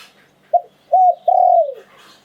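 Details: Single cooing phrase of a spotted dove in the 'liu tan' style: a brief clipped note, a pause, then a rounded coo running into a long, slowly falling drawn-out coo.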